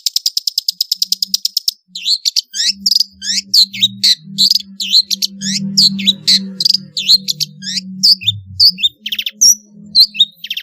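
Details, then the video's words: Long-tailed shrike singing a varied, chatty song used as a lure to make idle shrikes sing: a fast run of sharp ticking notes, then a jumble of high slurred and scratchy notes, over a low steady hum. "suara burung pentet gacor isian variasi bisa untuk pancingan cendet malas bunyi"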